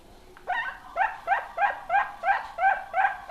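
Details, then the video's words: Zebra dove fledgling kept as a candidate for Indonesian song contests. It makes seven brief, bending cooing notes, each swooping up and then levelling, spaced about every 0.4 seconds over a quiet background. "Suara Perkutut Piyik"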